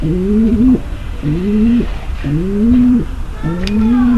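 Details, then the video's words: Female pigeon mating call used to get the male ready: four long, low coos that climb slightly and hold, coming about once a second. "صوت نداء انثى الحمام للتزاوج - صوت لتجهيز ذكر الحمام للتزاوج"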